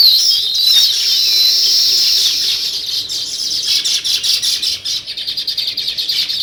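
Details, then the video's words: Sparrows or weaver birds chirping outdoors: a steady high chorus of many twittering birds, turning into rapid, evenly pulsed chirps repeated several times a second in the second half. "Natural Sparrow Chirping Sounds |Weaver Birds"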